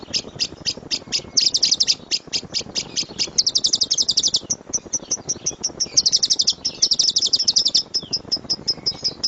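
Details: Lovebird from a master recording of the loud 'tembakan' song: evenly spaced high chips alternate with several fast, shrill rattling bursts lasting about a second each.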